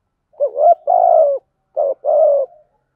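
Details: Spotted dove kept as a caged decoy, cooing to stir up wild doves: two phrases of deep, soft coos, a brief lead note followed by a drawn-out purring note, with no other sounds.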